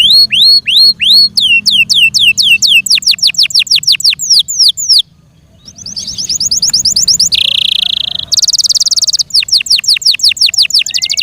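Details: Kept Yorkshire canary in song. A run of quick down-slurred notes speeds up, then a brief hush. A steady buzzy tone follows, then a bright high rolling trill, and more slurred notes close the phrase.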